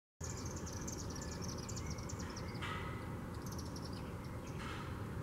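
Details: Chimney swifts circling and dropping into a chimney in Macon, Georgia, on April 6, 2016, give rapid, high, dry chittering in quick bursts over a steady low rumble of wind or traffic.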